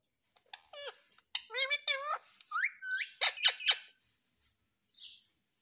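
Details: A pet parrot talks in a small room, giving squeaky, speech-like syllables in quick bursts, then sharp clicks and a brief soft whistle.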